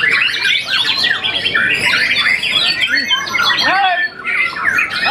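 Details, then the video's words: Young white-rumped shama after its first moult, a contest champion, singing a dense, fast stream of varied whistles, chirps and rising and falling notes with hardly a pause, one lower swooping note near the fourth second. "murai batu muda mabung satu kali"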